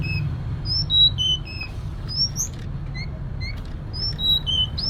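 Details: Female Sunda robin calling the male with a sequence of thin, high, slightly slurred whistles that drop in pitch. A few sharper upward notes are heard against a low droning background.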